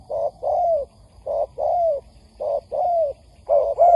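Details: Spotted dove hen's call used to excite males and draw them to a trap: loud low coos in pairs, a brief note followed by a drawn-out downslurred coo, repeating steadily.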